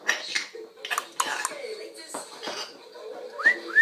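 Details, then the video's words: Pet male African grey parrot, filmed from a distance because he is camera shy, making assorted sounds indoors. There are clicking and clattering noises, then two quick rising whistles close together near the end. "making some sounds African Grey Parrot"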